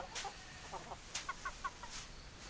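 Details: A brief burst of chicken clucking: several short, rounded cluck notes in quick succession amid a few sharp clicks.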